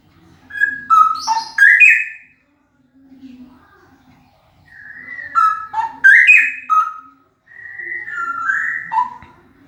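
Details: Very loud male straw-headed bulbul singing liquid, warbling whistled phrases that rise and fall, delivered in two main bursts with a pause between.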